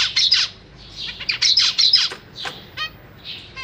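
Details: Zebra finch chicks being fed by their parents in a cage; dense, harsh, hissy begging chatter in the first two seconds, followed by a few clear nasal beeps and a soft rasp.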